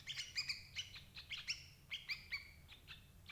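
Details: Sooty-headed bulbul calls used as a lure for trapping adult birds: bright, bubbly chirps with clear overtones, given in quick clusters of two or three notes roughly every half second. Faint low background rumble.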